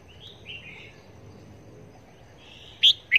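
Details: Caged red-whiskered bulbul serving as a trapping decoy, calling on test; soft slurred whistles are followed by two sudden, loud, sharp notes at the end.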